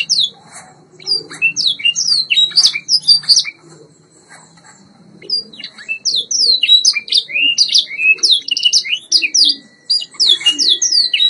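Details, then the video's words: White Yorkshire canary training song: bursts of fast, high descending whistles, about four per second, broken by a short quiet gap midway, with a steady faint tone near the end. "White Yorkshire Canary Singing TRAINING CD vol. 2"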